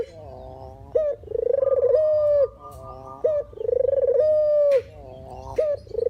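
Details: Barbary dove, a genuine recording used as a lure for trapping birds: rolling, pulsed coos that settle into long steady low tones, each ending with a short rising note. Phrases come about every two seconds, with a faint low hum beneath.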